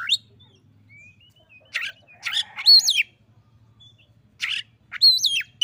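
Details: Oriental magpie-robin singing in reply to a rival: a thin whistled note, then loud bursts of sharp, rising-and-falling whistles and chattering notes in short phrases, over a steady low hum.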